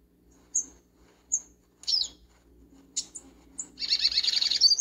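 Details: Double-collared seedeater in a backyard: a few high whistled and buzzy chirps spaced about a second apart, ending in a dense, rapid warbling phrase, over a soft low hum.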